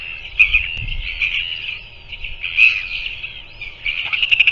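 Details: At a New Zealand nest on a February 2024 evening, a royal albatross parent feeds its chick: drawn-out, wavering nasal calls with a few sharper accented notes and a low thump near the start.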